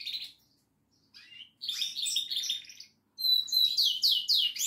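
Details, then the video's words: Goldfinch singing: bright, high twittering phrases in three bursts separated by short pauses, with tinkling trills and quick rising and falling notes, the last burst loudest and densest. "Best goldfinch singing."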